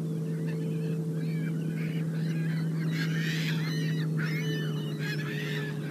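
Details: Sandhill cranes at sunset, Upper Mississippi River flyway near Onalaska, 20 September 2018, live camera: a dense chorus of harsh, rolling honks, roughly three per second, building midway, over a constant low droning hum.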